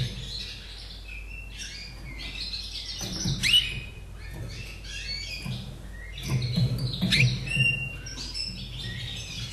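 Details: Austrian caged Slavujar, born 2011, delivers a lively song of quick chirps, upward-sweeping whistles and brief rolling trills, with several loud bursts, all over faint low background noise.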